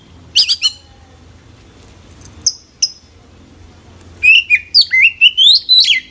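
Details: Magpie-robin singing hard with a packed song: a few quick high chirps, scattered sharp notes after quiet gaps, then a rapid closing burst of varied whistled and twittering phrases.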